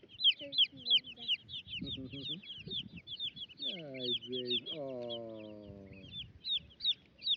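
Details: Many baby chicks chirping as they roam about a homestead with young turkeys: rapid, overlapping high peeps throughout, joined midway by lower, longer harmonic calls that dip and rise for a few seconds before the chick chorus carries on.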